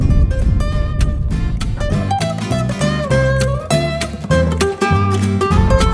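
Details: Loud strummed and plucked acoustic guitar music carries a lively melody throughout, with no animal calls.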